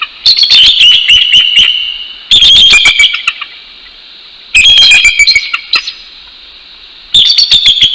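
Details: Male and female bald eagles duetting at dawn at a Northeast Florida nest, 12 January 2019, showing ownership of their territory: four separate bursts of high, rapid, squeaky piping, each about one to two seconds long.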